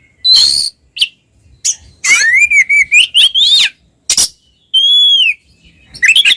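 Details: Pair of Oriental magpie-robins in full ngeplong song, meant to provoke mute birds into singing: a rough opening note, then a long run of rising and falling clear whistles, a sharp rasp and a sweet downslurred whistle.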